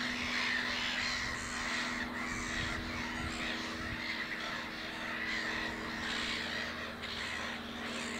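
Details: Black-headed gull at Lake Hornborga preening and resting from nest building; rapid, irregular harsh squawks from many gulls merge into a continuous noisy chorus, with a low steady hum throughout.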